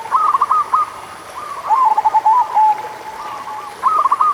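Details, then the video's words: Local zebra dove song meant to prompt lazy doves into singing: a clipped run of quick coo notes, a longer rolling phrase that ends in a drawn coo, then another short burst. A faint high whine persists throughout. "Buat Perkutut Malas Bunyi - Pancingan Suara Burung Perkutut Lokal"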